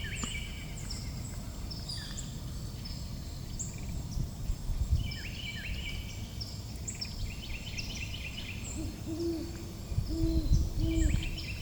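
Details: Great Horned Owl pair, male and female, calling from a tree at Bois D'Arc WMA outside Hope, Arkansas, on 19 November 2025. Low hoots come late in the clip, under a busy chorus of high, chirping songbirds.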